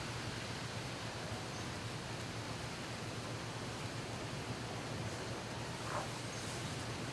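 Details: Steady broadband hiss with a low hum inside a turkey barn in the evening, and no clear animal calls heard.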